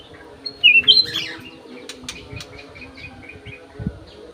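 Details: Aviary-kept Golden-fronted leafbird, clear voice: one short whistled phrase early on, a lower slurred note rising into a higher clear whistle, followed by scattered faint clicks and ticks and a low background hum.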